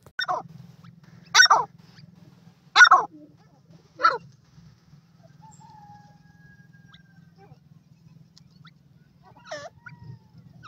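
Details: Francolin, known locally as teetar, calling outdoors: four loud, harsh, broadband notes about 1.4 seconds apart, then quiet with a faint low hum and one weaker note near the end.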